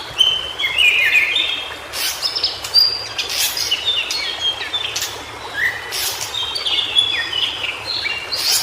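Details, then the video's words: White-browed shortwing (cingcoang biru) in its natural habitat giving busy high whistled phrases, overlapping slurred notes and short trills, interrupted by several sharp clicks and a background hiss. "Suara Burung Cingcoang Biru Di Habitat Aslinya"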